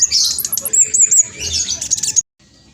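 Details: Spotted black sunbird in fast, loud song meant to provoke other birds into responding. About two seconds of rapid, very high chattering chirps and squeaks running together, ending abruptly in near silence.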